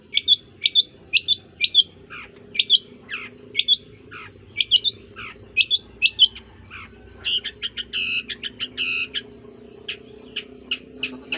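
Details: Long-tailed shrike making a strange call: sharp, high chirps repeated in quick pairs and triplets, broken by short harsh, rasping bursts, then scattered single thin notes.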